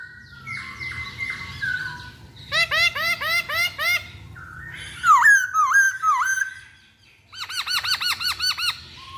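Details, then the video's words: Masked laughingthrush lure recording to make other birds sing: level whistles, then a long series of rapid arched, laugh-like notes, a wavering whistled phrase, and another burst of repeated bouncing notes. "Pancingan Poksay Hongkong Paling Ampuh"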